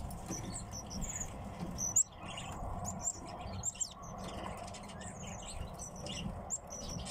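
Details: Kept tits calling indoors: short, high, sharp chirps scattered irregularly across the stretch, several louder notes standing out, over a steady low background hum.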